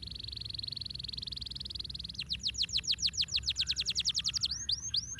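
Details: Canary song meant to stimulate lazy birds to sing: a long fast buzzy high trill, then a rapid series of sweeping downward whistles and a few separate swooping notes, with low background hum.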